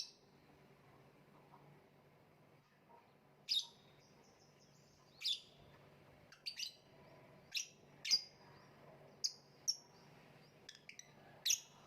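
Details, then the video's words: Lovebird making scattered high, piercing chirps, isolated at first, then coming faster and more irregularly toward the end, some notes doubled, over a steady low hum. "voice of love bird/ kicau mania lovebird gantangan macet"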